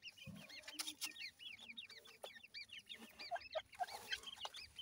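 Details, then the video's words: Teetar (grey francolin) chicks peep continuously while feeding, a dense run of high, arching whistled notes from many chicks. A dull thump opens the passage, and scattered sharp clicks follow. "francolin tetar chicks voice"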